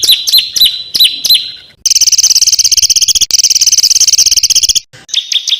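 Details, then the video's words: Small bird with harsh bursts (tembakan kasar), compiled to tutor contest songbirds: sharp slurred notes, then an intense high buzzing rattle lasting several seconds, a brief gap and more high notes. "SUARA BURUNG KECIL TEMBAKAN KASAR"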